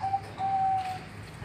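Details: Zebra dove (perkutut) in the morning in Yogyakarta, Indonesia, giving soft, steady, thick, hollow, slightly fast coos: a brief coo, then a longer sustained one at an even mid pitch, over faint indoor hum; song.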